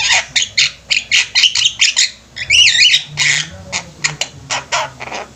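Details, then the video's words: A Javan myna flock in full voice: a quick run of harsh squawks, then a looping whistled phrase, then more spaced grating notes. "Burung jalak kebo ombyokan juga bisa gacor"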